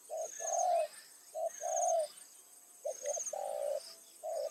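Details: Decoy spotted dove at a rice field in the evening, calling to draw in wild doves. Mellow low coos come in pairs, a brief note then a longer one, with pauses between phrases and thin high buzzing in the background.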